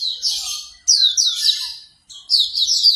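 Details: Three short bursts of hurried, scratchy high twittering, with slurred notes blending together, from Hume's white-eye. A morning track played to prompt a bird to begin singing.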